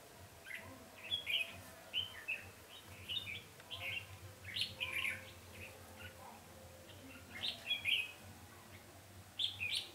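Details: Red-whiskered bulbul song recorded while trapping on 20 November 2015, a decoy bird calling wild birds; quick chirpy whistled notes in clusters roughly every second, quieter with steady low hum.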